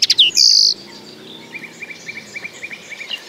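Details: Common linnet song: a loud high drawn-out whistled note, then a light rapid series of soft evenly spaced ticking notes continuing to the end.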